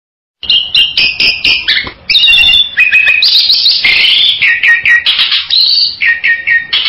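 Bali myna giving loud, varied whistles and harsh chattering notes, a rapid string of bright phrases mostly high-pitched, some sliding and some burry, with no other sounds.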